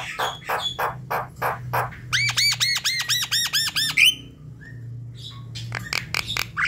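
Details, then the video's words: Javan myna song for prompting a lazy bird at night: rasping notes, a rapid chain of arched whistles, a brief quiet gap, then more clicks, with a low hum underneath. "Untuk pancingan malam hari jalak kebo malas bunyi"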